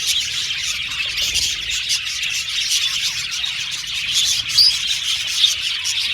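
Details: Budgerigar colony kept in a cage, birds singing and chirping as they play; a steady, crowded wash of shrill twittering with a few brighter whistled notes standing out.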